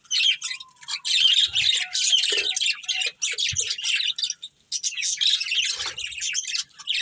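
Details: Two budgerigars, a breeding pair, pour out loud, raspy high chatter in long phrases separated by brief silences, with some squawk-like notes.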